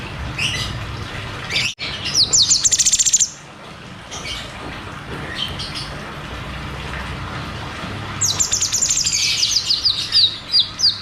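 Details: Cucak cungkok in ngeroll tembak style, a lure and therapy sound for caged birds that have stopped singing: a fast, shrill descending trill, a quiet stretch, then a long run of rapid, high chattering notes.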